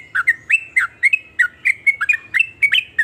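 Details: Sooty-headed bulbul song, said to stir other bulbuls into singing: quick chortling notes rising and falling, roughly four per second, over a faint low hum.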